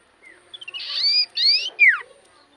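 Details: Common iora in full song to stir up rival ioras: a soft rising whistle, a few ticks, two loud buzzy notes laced with whistles, then a steep falling whistle.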